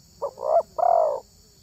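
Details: Spotted dove valued for its voice: one phrase of a clipped opening note followed by two longer, soft, hollow coos, over light background rustle.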